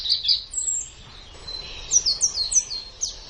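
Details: White-eye (pleci) singing for song training: a few high chirps and a thin whistle, a brief lull, then a rapid run of sharp descending high notes.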